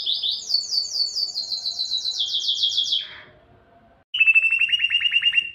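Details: Belgian canary song for stimulating females to breed: a long high trill stepping down in pitch, a fading pause, then a loud lower rattling trill of rapid pulses.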